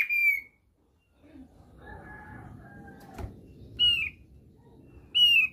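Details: Thick-billed white-eye, a lure to get birds singing: a single loud downslurred whistle, then low rumbling background noise and a click, followed by two more clear arching whistles.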